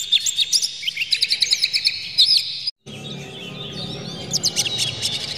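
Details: Tail-spreading oriental magpie-robin (kacer) giving an agitated song to rouse other magpie-robins: rapid rhythmic chirps and whistles, an abrupt silent break near the middle, then softer song resumes over a louder low background hiss.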